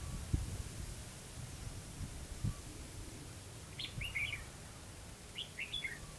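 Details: Red-whiskered bulbul used as a lure bird during trapping at Hòa Mạc, Hà Nam: two short bursts of bright, warbled, rising-and-falling whistled notes, well apart, over quiet low rumble and faint knocks.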